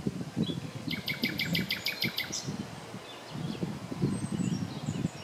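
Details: Common nightingale singing on the morning of 30 April 2020 near Klein-Auheim and Hainburg am Main: a rapid run of about eight loud, repeated piping notes, then faint high phrases, over a steady low rumble of wind or distant traffic.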